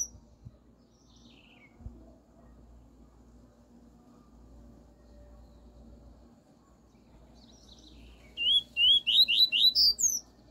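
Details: Tutor recording of a Double-collared seedeater's pure 'tui tui' song for a young bird: faint descending notes early, then near the end a rapid run of about six upward-sliding whistles with high accents, against steady low hiss.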